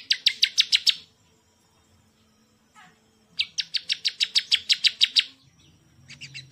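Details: Bar-winged prinia, a champion songbird, singing series of rapid, sharp, buzzy notes repeated about eight to twelve times per burst, with a short pause between bursts and a faint low hum behind.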